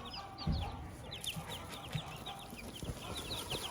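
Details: Farm hen with her chicks: rapid high cheeping chicks fill the recording, several to each second, over soft low thumps and scratching sounds close by.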